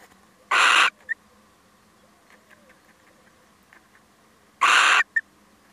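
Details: Visiting male little owl: two rasping, broadband screeches about four seconds apart, each followed at once by a short, thin chip note, over a quiet background.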